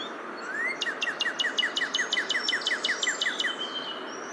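Northern Cardinal song: one rising slurred whistle, then about fourteen clear, quick downslurred notes, roughly four a second, over a soft background hiss.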